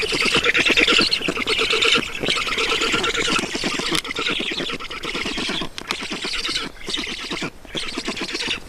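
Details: Black storks at a nest in Estonia during feeding, 7 June 2019 at 16:18: a dense, harsh chatter of rapid, buzzy, repeated pulses runs nearly nonstop, with brief pauses and rustling.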